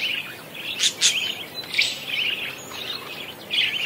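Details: Lively parakeet warble, a continuous high twittering chatter broken by a few louder sharp chirps near the start, then flowing on with rapid scratchy notes.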